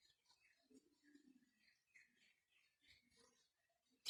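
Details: Ringneck parakeet talking: soft, thin, speech-like babble of quiet whistled syllables, rising and falling over a few seconds in a quiet room, ending with a sharp click.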